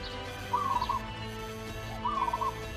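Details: Zebra dove, a local perkutut, singing in manggung style: two short rolling, bubbling coo phrases of about half a second each, about 1.5 seconds apart, over a steady low electrical hum.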